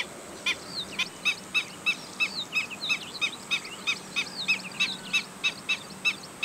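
Black-winged stilt giving sharp, yelping kek notes about three per second, with thinner squeaky upslurred notes woven between them.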